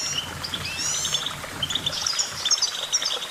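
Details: Goldfinch singing in a brisk, liquid twitter of high notes and short trills, with a faint low rumble underneath.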